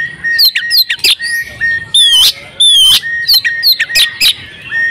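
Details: Female oriental magpie-robin in breeding condition, calling so that males will sing. Sharp chips alternate with a steady low whistle, and two drawn-out buzzy, grating notes stand out midway.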